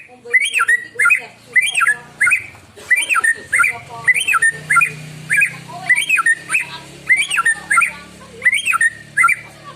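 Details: White-rumped shama singing in the morning, a recording used as a lure for other birds; a sharp, bright two-part note with a squawky edge, repeated about every 0.7 seconds in a steady series, over a low steady hum.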